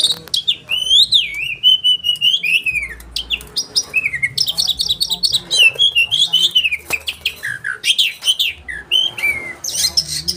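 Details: Caged oriental magpie-robin singing a sharp, rolling training song: loud varied whistles, long sliding and wavering notes mixed with quick chips and buzzy fragments, delivered almost without pause in fast changing phrases.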